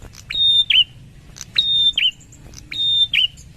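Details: Wild prinia recorded by phonescoping: a loud two-part call repeated three times, each a flat high whistle followed by a short downslurred chip, about one second apart.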